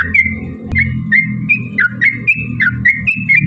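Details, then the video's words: Yellow-vented bulbul song played to make other bulbuls sing: clear liquid whistled notes, each dipping then rising, in a quick regular series over a steady low hum. "trucukan gacor TARUNG ROPEL PANJANG pancingan trucukan agar bunyi"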